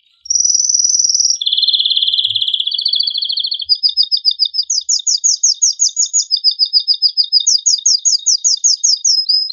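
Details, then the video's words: Male canary singing loud, excited song to stimulate breeding: a high steady trill, then a lower rapid rattling trill, followed by fast repeated chirping phrases that step between higher and lower pitches, with a clean quiet background. "تغريد هائج قوي لذكر كناري من أجل تحفيز أنثى وذكر الكناري على التزاوج"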